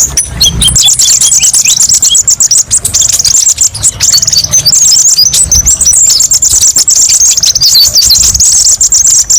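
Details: High, fast, sparkling twitter from a kolibri ninja sunbird in a masteran recording with many varied bursts; continuous trilled runs and tiny slurred whistles, with low hum underneath.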